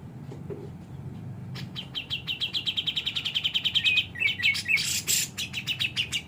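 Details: A grey-cheeked bulbul, known locally as cucak jenggot, sings energetically: a long, even series of rapid chirps about eight per second, then twisting whistled notes, a harsh burst and more quick chirps.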